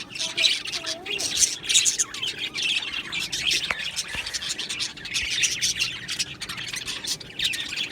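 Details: Australian budgie colony in an aviary, producing continuous high twittering and squawks, with occasional soft whistled notes among the flock's chatter.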